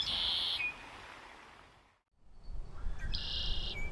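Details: Male Red-winged Blackbird, North American wetland, spring: two buzzy, high conk-la-ree song trills about three seconds apart, each ending in a short lower note, over a low rumbling background.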